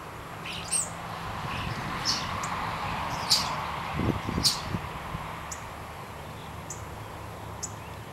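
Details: Early-morning common starling at its nest box on 16 April 2012, before 7 a.m., awaiting its partner: scattered, sharp, very high whistles and squeaks at irregular intervals, with a brief low rumble midway, over steady background hiss.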